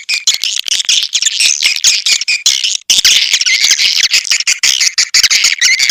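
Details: Swiftlets in a natural lure recording used to attract swiftlets: dense, continuous high twittering and chattering from many birds, with rapid overlapping chirps and brief pauses.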